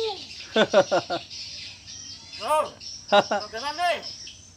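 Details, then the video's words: Indonesian common hill myna, a talking bird speaking back in imitation of human speech: a quick run of four clipped, voice-like syllables, then drawn-out arching vowel-like sounds, over a faint background hum. "Indonesian Beo Bird | speaking back | Amazing Talking Bird"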